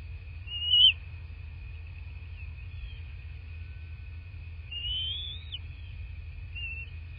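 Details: Bald eagle at a nest in southwest Florida, morning of 22 February 2024, recorded by a nest camera: two high, thin whistled notes several seconds apart, the second drawn out and slurred, over a steady electronic hum and low rumble.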